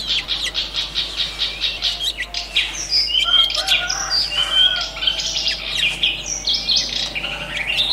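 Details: Long-tailed shrike singing in its natural habitat: a varied, loud warble of whistled slurs and short scratchy notes, mostly high-pitched, with rising and falling glides through the middle seconds.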